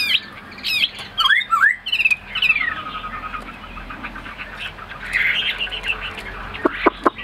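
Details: Tame Chinese hwamei in a cage in Vietnam giving a few strong swooping whistles and twisting slurs, then quieter, softer warbling with scattered sharp clicks.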